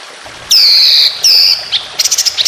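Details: White-rumped shama song used as a training recording for competition birds, with long loud phrases: two sustained high whistled notes near the top of the range, then quick sharp chips and rapid trills.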